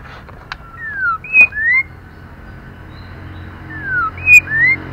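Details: White-rumped shama female used to excite male birds: a falling whistled slur followed by two short rising whistles, the pattern heard twice, with a few sharp clicks and faint hum behind.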